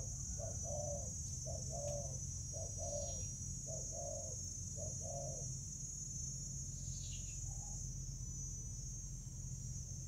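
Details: Spotted dove fighting over food in Vietnam, 24 July 2019: five low, rounded coo phrases repeated about once a second, then a pause and a faint short note, with a steady high whine and low hum behind.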